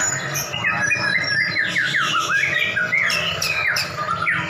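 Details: White-rumped shama duel between two champion birds: rapid, harsh and whistled notes tumble in quick descending and rising sweeps, densely packed, over a faint low hum.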